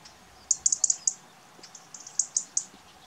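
European robin giving sharp, very high ticking calls in quick clusters of two to four, with brief pauses between bursts; otherwise quiet.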